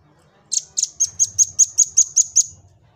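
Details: Velvet-fronted nuthatch song for tutoring other birds and provoking them to sing: one run of ten piercing high notes, evenly repeated about five per second, over a faint low hum.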